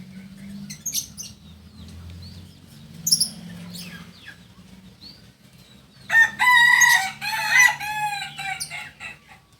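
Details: Kokok Balenggek rooster, a singing chicken native to Solok, crowing in the landiak class style: after scattered clucks and rustling, a long, loud, multi-note crow with stepped, warbling phrases rings out over about two seconds near the end.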